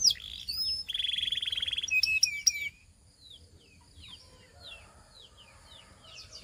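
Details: Belgian canary song: a loud, harsh pulsed tour and bright whistles in the first three seconds, then quieter slurred chirps trailing off.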